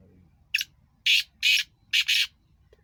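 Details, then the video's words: Two black francolins calling: harsh, grating calls of one short clipped note, then three or four loud rasping notes in quick succession, over faint low background noise. "Kala Teetar Ki awaz 2 teetar دو تیتر کی بلائی"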